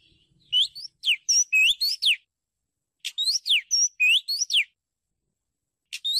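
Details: Oriental magpie-robin, recorded in Thailand as a bird-luring sound: bursts of sweet, varied whistled notes, some rising and some sharply falling, in quick phrases separated by short silences.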